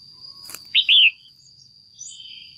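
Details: Female red-whiskered bulbul in a cage, calling to attract a male or for pairing, gives one loud, quick, slurred double chirp, followed by a faint distant note and a constant high tone.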